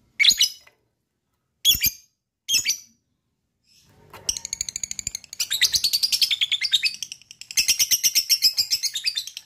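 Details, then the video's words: Lovebird giving three separate shrill chirps, then breaking into a fast, rattling trill of harsh notes that pauses once and restarts; recording intended to set other lovebirds off into ngekek trilling. "DENGARKAN suara LOVE BIRD ini,,bisa m3micu lb untuk ngekek"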